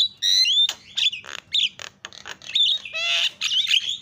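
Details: Lure calls of the Javan myna to set other mynas calling: loud whistled slurs mixed with grating squawks and clicks, delivered in quick bursts.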